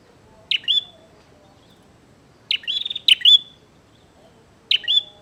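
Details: A bar-winged prinia calls eagerly to challenge another to a fight: three phrases of sharp, high chirps, the middle one a longer rattling run of rapid notes, separated by gaps of about two seconds.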